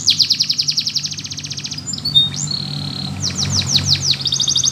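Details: Training song of a Russian canary: a rapid trill for nearly two seconds, a lone whistled note, a series of falling sweeps and a final trill, over a low background hum.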